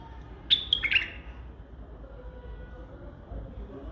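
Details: A single quick white-eared bulbul phrase of three or four bright whistled notes, tumbling downward, then quiet with only a low background hum.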